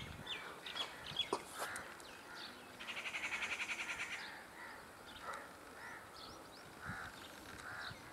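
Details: Rufous treepie (Dendrocitta vagabunda) breeding locally, with its chick: a harsh, rapid rattle of about nine clicks lasting a second, among scattered short chirps and squeaks in a noisy outdoor background.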